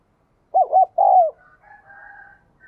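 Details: Captive spotted dove, a keen cooer with a 'đồng kim' voice, heard to encourage newly caught doves to coo. Two quick hollow notes and a drawn-out falling coo, then a faint distant rooster crow.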